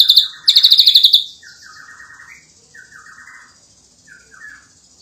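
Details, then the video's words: Ashy drongo in full 'gacor nembak rapat' song for tutoring other birds: two bursts of rapid, piercing high chips open the phrase, followed by softer, lower chattering notes in short grouped runs with quiet gaps between. "Burung Srigunting Abu - Abu Gacor Nembak Rapat"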